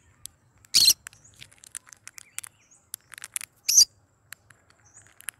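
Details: A pet cinnamon, yellow-sided green-cheeked conure gives two loud, harsh screeches about three seconds apart, with soft clicks and faint chirps scattered between them.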